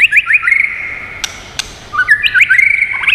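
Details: Varied whistling from a White-rumped shama, used as training and stimulation song: rapid loud fluty notes, a brief gap broken by two sharp clicks, then another fast burst of high slurred whistles.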